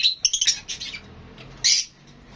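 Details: Lovebirds calling: a quick string of piercing whistled chirps, a short lull, then a single loud harsh squawk.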